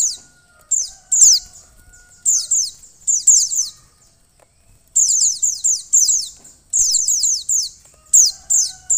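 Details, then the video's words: Repeated clusters of thin, high, falling chirps from a female mountain white-eye calling to stimulate a male, some bursts of four or five notes in quick succession, with a brief quiet gap midway. "pleci betina untuk mempercepat buka paruh pleci jantan"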